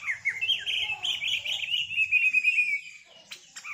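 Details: Greater green leafbird in 'setting betina' mode warbling a continuous, rapid, twittering stream of high notes rich in isian fill-ins, ending abruptly, then a couple of short sharp calls.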